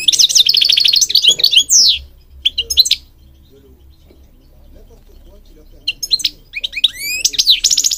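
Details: European goldfinch singing, meant to stimulate and train birds, Morocco noted: dense buzzy twittering and falling slurs, a long silent stretch, then renewed rapid chattering trills and whistled sweeps.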